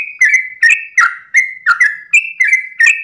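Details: Yellow-vented bulbul at dawn in rapid 'ropel' song, a brisk string of clear, bubbly whistled notes, each sharply attacked and sliding down, about three per second.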